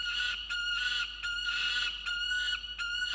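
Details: Peregrine falcon at its nest in Orange, New South Wales, 26 June 2021, during a dispute over food, recorded by nest camera: sustained loud, harsh, tonal wailing, broken by short gaps roughly every half second.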